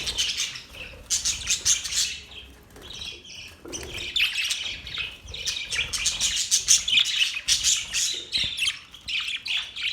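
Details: Happy budgerigars chattering: bright, buzzy chirps in fast irregular runs, with a short lull near the middle before the chatter swells again.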